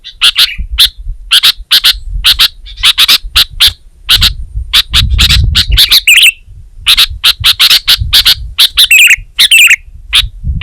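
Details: Lively gacor song of a sooty-headed bulbul: steady series of crisp chirps broken by short, liquid, wavering whistles, ending with a burst of bubbly notes over faint rumbling.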